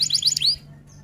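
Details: Fragment of an F1 canary's roll-and-'tembak' tutor song: a quick burst of five or six bright, high, upward-sliding whistled notes, ending abruptly.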